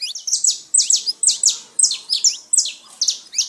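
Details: Loud, rapid saffron finch song meant to set pet birds singing: high, sharp chirps repeated in quick bursts about every half second, each with a short falling tail.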